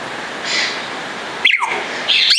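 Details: A Congo African grey parrot (Psittacus erithacus erithacus) at Warsaw Zoo gives a clear whistle sliding sharply downward, then a harsh, grating squawk a moment later, over a steady background hiss.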